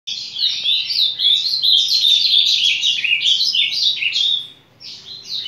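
An ultramarine grosbeak sings a long, sweet warbling phrase of quick slurred whistles, rising and falling for about four seconds, then starts again.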